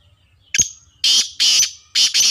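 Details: Black francolin (kala tetar), described as pure Sheedi-breed and Sindhi-breed stock, giving a loud, harsh call: a short sharp note, then three grating bursts about half a second apart, with low murmur underneath.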